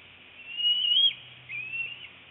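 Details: At a Northeast Florida nest camera on the morning of 25 February 2018, an adult female bald eagle feeds her eaglet a fish. Two thin, high whistled notes are heard, the first rising then dipping, the second shorter and wavering, over a low hum.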